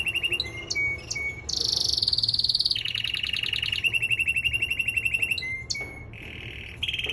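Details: Male canary during singing training mixes short rising chips with sustained rolls: a high buzzy trill, then a long lower pulsing trill, closing on sharp chips and another short roll.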